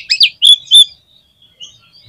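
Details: Oriental magpie-robin (kacer) giving a short 'gacor' phrase: a few rising, sliding whistled notes and two clear ringing tones in quick succession, then only faint soft twittering.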